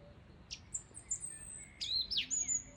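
A song thrush gives two quick phrases of very high, thin whistles with sharp downward sweeps. There is faint background hiss.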